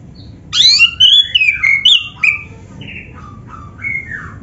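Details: Oriental magpie-robin with black breast singing as a prompt for other birds: rapid sliding whistles and sharp chips for two seconds, then softer drawn-out downslurred whistles.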